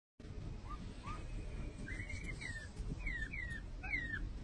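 A Montezuma quail gives a run of short, high, descending whistled notes, several a second apart, over a steady low rumble.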